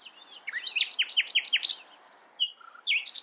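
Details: Common nightingale song: a fast series of about eight sharply falling, repeated notes, then a pause, a clear steady whistle and a new burst of high, rapid notes.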